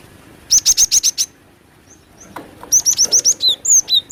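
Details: Calls of a female cinereous tit used for luring: a rapid string of six sharp, high notes, a short silence, then another fast series ending in descending whistled slurs.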